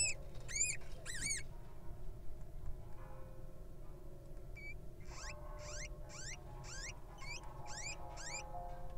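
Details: Wild little owl hatchling emerging from the egg: a few squeaky chirps at first, then a run of about eight falling, whistled squeaks roughly every half second, over low background hum.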